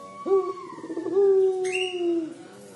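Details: Collared dove giving the 'crying' style call: one long, steady, mournful coo held for about two seconds at an even pitch. A brief higher, harmonic-rich note breaks in partway through.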